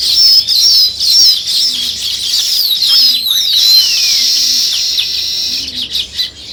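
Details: Sparrows with weaver birds in natural surroundings: loud, busy high-pitched chatter with sweeping squeaky notes, while a soft low cooing repeats about every second and a half in the background.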